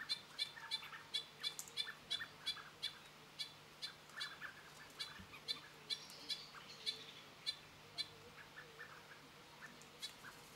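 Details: Kaka near a feeding station at Mount Bruce, New Zealand, 14 June, while feeding: a run of sharp, clicky chirps repeated in quick succession, thinning out toward the end, over a constant low mechanical hum.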